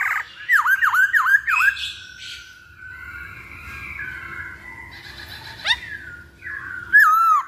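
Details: Masked laughingthrush song used as a lure to make birds sing: four rapid looping, dipping whistles open the clip, then softer rambling warbles, a sharp upward note and a final loud looping whistle.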